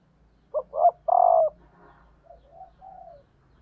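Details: Female spotted dove used as a decoy to stimulate males coos a phrase of two short notes followed by a longer steady note, then softer trailing coos, in a quiet setting.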